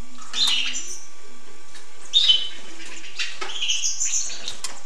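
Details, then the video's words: Hooded siskin singing lively buzzy twitters and high chirps in quick succession, with a soft tap and steady hiss behind. "tarin poitrine noir"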